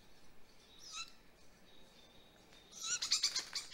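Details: Great grey owl chick at a nest in Mission Valley, seen on a live camera at 7:35 pm on May 20, 2020, during an evening prey drop. One short harsh squeal comes first, then a closing burst of rapid, screechy, hissing calls.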